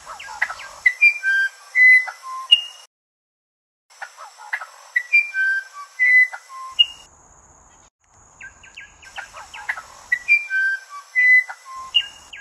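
Musician wren singing three phrases of pure, flute-like whistles at shifting pitches, mixed with quick clicking notes, over a steady high insect drone.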